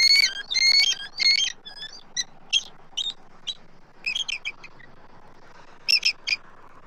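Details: Adult eagles calling at a Southwest Florida nest tree on a nest camera, 12 March 2024, while an immature intruder circles. Loud high squealing chatter opens, then breaks into scattered short piping notes and small clusters that grow fainter.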